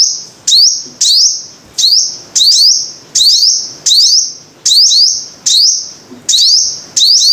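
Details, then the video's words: Five-coloured sunbird singing a steady series of shrill, rising notes, frequently doubled, each drawn into a brief thin whistle, repeated about every second. "Tiếng chim hút mật 5 màu"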